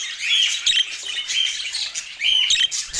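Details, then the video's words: Budgerigar chatter fills the recording, a busy mix of scratchy squawks and short whistled notes that swell and fade in waves. "Dieser Sound macht Wellensittich Vogel verrückt"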